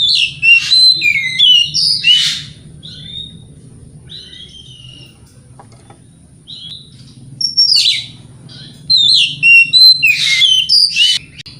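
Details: Morning lure song of an Oriental magpie-robin, used to make rivals reply: rich whistled and grating phrases in bursts at the start and end, with a quieter stretch of soft, drawn-out whistles in between; a faint constant high tone underneath.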